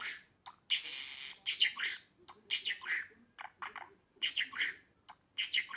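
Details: Pet budgerigar singing, meant to prompt other budgies to sing: a rapid run of buzzy chirps, clicks and harsh squawks in uneven bursts about half a second long, indoors.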